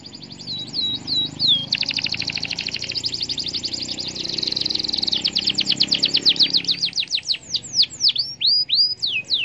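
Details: Canary song meant to set off other canaries singing: a dense buzzy high trill of rapid clicks gives way to repeated sharp downward-sweeping whistled chirps.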